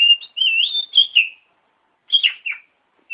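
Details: Training song of an oriental magpie-robin for tutoring other birds: a long, fluid, wavering whistle followed after a pause by a brief, slurred descending phrase.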